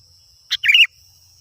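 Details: Lure recording of a sooty-headed bulbul: one crisp note then a short rich bubbling warble, over a steady high electronic whine.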